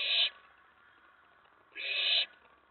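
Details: Excited owlet in a nest box late at night on May 19, 2017, around a mouse delivery, giving two harsh, breathy screeches roughly one and a half seconds apart.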